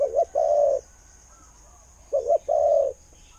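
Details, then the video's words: Spotted dove with a good voice in the 'khu-ang' style, kept as a decoy for luring. Two low cooing phrases, each a short wavering double note followed by a steady long coo, separated by a pause. "เสียงนกเขาใหญ่ เจ้า 800 คูอ่าง เสียงดี ต่อเข้าหมาน"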